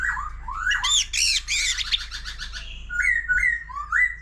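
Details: Old wild-caught white-rumped shama singing many varied phrases alongside a laughingthrush: rising whistled slurs near the start, a burst of rich buzzy warbled notes, then clear upslurred whistles repeated about every half second.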